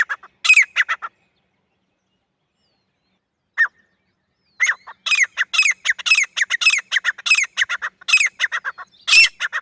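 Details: Jungle-dwelling grey francolin, said to be female: an opening flurry of rasping notes, a long pause, one lone note, then an extended run of rapid, strident, repeated calls.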